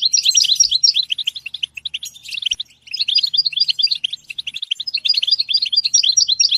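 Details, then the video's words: European goldfinch producing lively twittering song, rapid ringing chirps in two phrases separated by a brief pause, the second phrase steady and rhythmic to the end. "Comprehensive guide to stimulating and singing the goldfinch"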